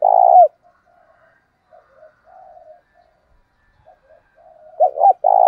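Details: Spotted dove kept as a decoy, giving a wild-type call to stir rivals to fight; the tail of one low coo opens, soft muttering follows, then a fresh stuttered double note and long coo begin.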